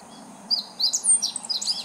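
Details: High, rapid chirping song phrase of a meadow bunting, singing as if calling out to nearby birds, recorded 19 July 2014; several quick rising and falling notes.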